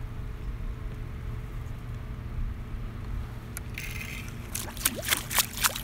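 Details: A steady low engine-like rumble runs throughout, and sharp bursts of splashing water break in over the last two seconds.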